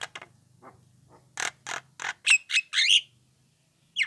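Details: Lure call of a young Javan myna, meant to get other Javan mynas to answer; rasping buzzy notes in quick succession ending in harsher squeaky squawks, over a faint low hum.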